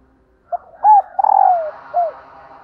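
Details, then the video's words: Calling female dove meant to stimulate males: a short coo, an arched coo, a long rolling downward-sliding purr and a separate final arched coo, low and mellow. "Tiếng Chim Cu Mái kích Trống Hiệu Quả"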